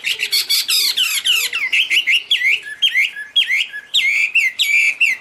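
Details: Chinese hwamei in high, pure song as it waves its wings and tail; a rich, loud stream of varied whistles, many phrases sliding downward and repeated in quick succession.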